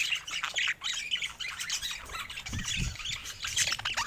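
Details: Several pet budgies chatter busily: overlapping squawky warbles and clicks, with a few soft low thumps midway.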